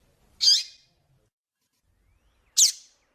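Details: Double-collared seedeater with a female calling to excite males: two sharp, high downward-sweeping chips about two seconds apart, with silence between them.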